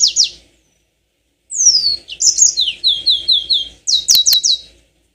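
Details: Yellow-fronted canary song meant to provoke long rolling singing: a brief high slur, silence, then a falling whistle, buzzy notes, and rapid series of repeated downslurred whistles.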